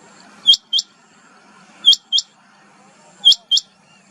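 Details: Rain quail calling: sharp, high double notes, each pair quickly repeated and given about every one and a half seconds, over quiet background.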